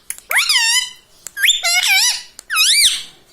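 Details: Talking pet rose-ringed parakeet in a small room utters three loud, swooping harmonic phrases in quick succession, each curving up then down, separated by short clicks.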